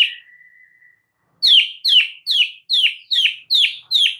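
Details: White-rumped shama singing, used to get a silent bird to start: a brief note and a long thin whistle, then seven loud descending buzzy chirps spaced about every half second.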